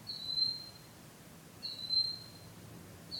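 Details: Bird singing love songs at night after returning; thin, level, very high whistles held about half a second, repeated every one and a half seconds, soft background.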